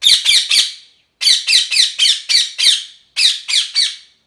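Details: Parrot screeching continuously in rapid bursts of harsh, raspy squawks, roughly four per second, grouped in runs of three to six with brief breaks.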